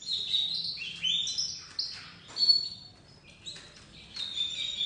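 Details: Young white crested domestic canary, a dominant-white chick, just beginning to sing: high twittering phrases with rolling trills and sliding whistled notes in bursts separated by brief pauses.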